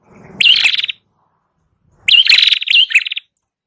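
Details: Song of a red-headed prinia, used as a lure: two buzzy chattering phrases of pulsed notes with upslurred whistles, about a second apart, with a faint low rustle at the start.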